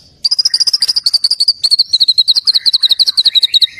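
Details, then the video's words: White-rumped shama singing a continuous rapid chatter of sharp high notes, evenly spaced and slightly falling in pitch, ending in a lower slurred phrase, part of its full repertoire (isian lengkap). "murai gacor isian Lengkap""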